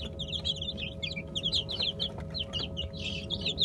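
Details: A group of Brahma chicken chicks feeding on a mash of bulgur, olive oil and mashed boiled egg. Dense, continuous chorus of short high falling cheeps with brief louder flurries, and a constant humming drone underneath.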